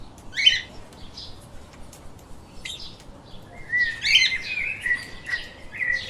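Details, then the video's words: Lovebirds kept as pets chirping: a sharp squeaky burst early, a pause, then a run of shrill, slightly buzzy chatter and flat whistled notes toward the end. "Explore The Chirping little Parrots"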